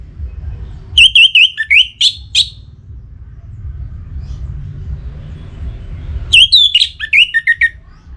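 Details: Orange-headed thrush from northern Bali in breeding condition, calling a rival: two bursts of sharp, high, V-shaped whistled notes mixed with rising slurs, repeated rapidly, with low-frequency background rumble between phrases.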